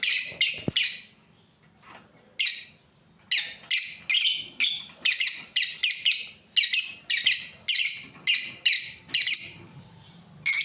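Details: Breeding pair of lovebirds with a fast, steady series of harsh, high chirps, about three per second after a short opening burst and a brief pause.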